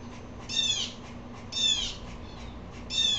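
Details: Three muffled, harsh calls of an upset blue jay, about a second apart, heard more distantly over a steady low hum.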